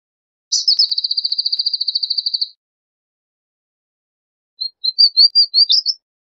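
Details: Palestine sunbird, Cinnyris osea, singing: a fast trill of about twenty evenly spaced high notes lasting two seconds, then after a pause a short series of rising, accelerating chirps ending in buzzy notes. No other sounds.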